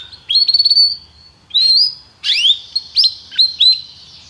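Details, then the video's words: Canary from a song-training recording meant to get a canary singing; short rising whistled phrases, each a brief upslur or quick stutter, separated by pauses of about half a second. "treinamento canário - seu canário cantará muito se ouvir isso"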